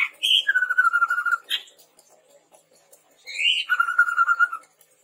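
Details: Red-rumped tepus lure for training birds: two phrases, each a high rising note dropping into a long trembling whistle, a gap between them.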